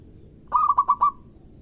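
Zebra dove song: a quick run of five soft, mellow coos at a steady mid pitch, ending in a drawn-out trailing note over faint low background rumble.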